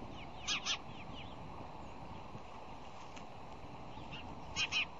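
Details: Bald eagle at the fish hatchery nest in Decorah, Iowa, on a February morning in 2010, amid bowl digging and wing slams: two paired, harsh, high notes near the start and again near the end, with faint chirps between and a steady background hum.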